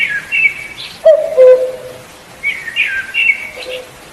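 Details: Cuckoo giving two low, steady notes, the second slightly lower than the first, about a second in. Thin, higher chirps and twitters from other birds come before and after.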